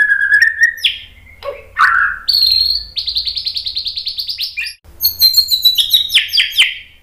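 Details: White-rumped shama sings clear rising whistles, a low slurred note, then a rapid run of evenly repeated high notes, then a pause before bright descending whistled phrases, set against a quiet background.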